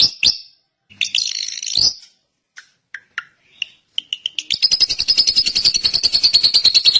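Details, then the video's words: Drongo (srigunting) singing: high scratchy chirps and a harsh buzzy phrase, a few short separated notes, then a fast, steady trill of rapidly repeated sharp notes filling the last two and a half seconds. "kicau burung srigunting"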